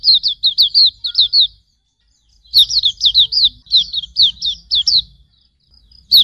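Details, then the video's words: Auriventer white-eye singing in a tutor recording: a brief burst of high twittering notes, a silent gap, then a longer string of quick downslurred chirps with a faint low hum. "Masteran Suara Burung Pleci Auriventer"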